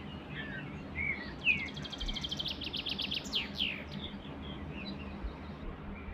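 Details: Singing canary: scattered short chirps build into a fast, high rattling trill, then a run of sharp descending slurred notes fading into softer twitters, against a low background hum.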